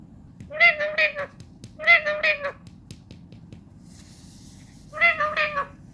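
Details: Talking pet parrot producing three short, nasal, speech-like phrases, each split into quick syllables, spaced about a second and then three seconds apart, over a steady low background hum.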